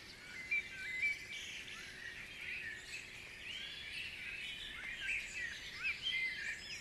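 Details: Many birds singing together in a Guisborough dawn chorus, overlapping trills, slurred whistles and high chirps blending into a busy layered texture, all fairly distant, with a faint steady hum underneath.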